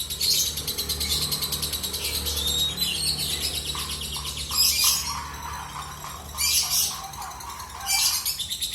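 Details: Lovebird giving a long ngekek song: continuous, rapid, high-pitched chattering trills and shrill buzzy notes, with louder bursts around every two seconds near the end and a steady low hum underneath.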